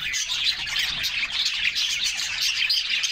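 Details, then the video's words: Bathing canaries in summer, a group chorus of quick high twitters and trills packed tightly together, steady in loudness throughout. "Summer Serenade: Canaries Singing and Splashing in a Refreshing Bath"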